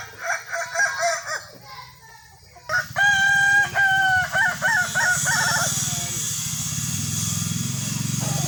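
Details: Kukuak balenggek rooster competing in a crowing contest. It gives a clear, ringing crow with a held opening note and then several quick stepped syllables. Earlier softer crowing is heard, and loud hissing noise covers the final seconds.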